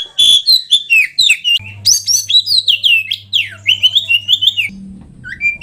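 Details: Lively kacer, the oriental magpie-robin, from an enthusiast collection: repeated clear whistled notes giving way to a fast, varied run of slurred whistles, over a steady low hum for part of the time.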